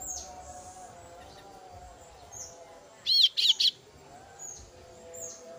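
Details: Female kasu-kasu chick calling its mother with three quick, high chirps in a tight burst, each sharply bent in pitch, over a steady background hiss.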